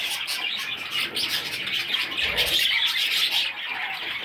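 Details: Several young parrot chicks chirp and chatter together, a dense run of quick high twittering notes that swells slightly midway, with faint thudding underneath.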